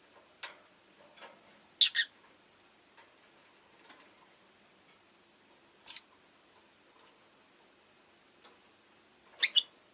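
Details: Rosy-faced lovebird chirping: sparse, short, sharp high chirps, with a louder double chirp near two seconds and single bursts around six and nine seconds over a quiet background.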